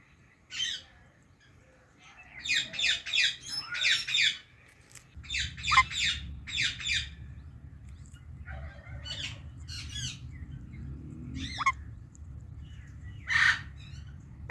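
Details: Indian ringneck parakeet, a talking pet parrot, chattering in bursts of raspy, clustered chirps separated by pauses, ending with a loud harsh squawk, over a background hum.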